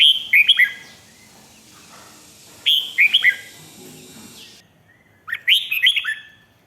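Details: Red-whiskered bulbul song from Thailand, used to stir up other caged birds: three lively whistled phrases of rapid falling and rising notes, separated by quiet gaps of about two seconds, with faint low background murmur.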